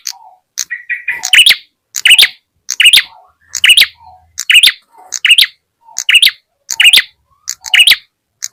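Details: Ashy tailorbird lure call used to draw birds close: bursts of bright, high chirps repeated at a steady rhythm, about once every second, each with a short lower note before it.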